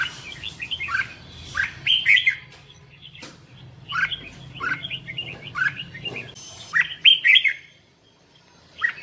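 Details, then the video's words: Red-whiskered bulbul in competitive singing, kept for voice training: bursts of bright, warbled whistled phrases in quick clusters, some rising and falling, separated by short pauses, with a low hum underneath. "Chào Mào Hót Đấu | luyện giọng chào mào"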